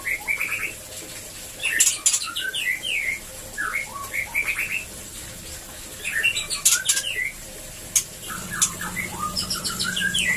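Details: Caged white-rumped shama song meant to stimulate breeding: rich whistled phrases of rising and falling notes, with sharp clicks and scratchy high bursts between phrases and a low steady hum near the end.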